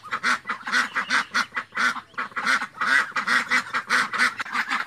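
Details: Duck calling in a rapid series of harsh, nasal quacks, about three per second, each with a buzzy, broad sound, continuing without pause through the whole stretch.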